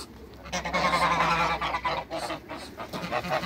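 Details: Toulouse geese, a trio of two ganders and one goose kept in a backyard, giving a steady run of rapid, rasping honks that swell in the middle and then break into shorter, choppier bursts.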